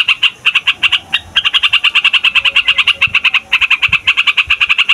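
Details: Long rolling song of a yellow-vented bulbul meant to draw in wild birds: rapid, sharp, stuttering notes in a near-continuous chatter, with one short break.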